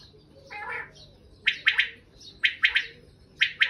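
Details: Three clipped triplets from a wild common quail arrive at steady one-second intervals, each three loud quick pulses, after a softer, buzzier note at the start.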